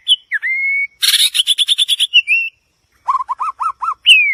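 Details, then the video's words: White-rumped shama singing a varied phrase: long clear whistles, a fast harsh buzzy rattle, a brief pause, then a run of rich looping whistled notes and a final high slur. "เสียงนกบินหลาดง, White-rumped shama Song."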